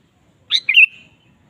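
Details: Sooty-headed bulbul, a lively singing bird, played to provoke a kept bulbul into singing; one short bright phrase: a sharp high note dropping into a quick warbled, whistled flourish, over near silence.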